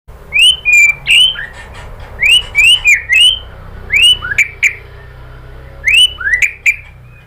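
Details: White-rumped shama song used as a lure to make other shamas answer and sing: loud, clear whistled phrases rising sharply, some with quick downslurred tails, given in short bursts with brief pauses between.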